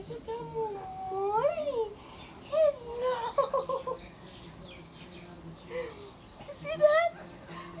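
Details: A female Blue-and-yellow Macaw greets her owner after he was away five days. She gives a run of chattering, squawking calls swooping up and down in pitch while he talks softly; owners suspect her opened wings mean a hug.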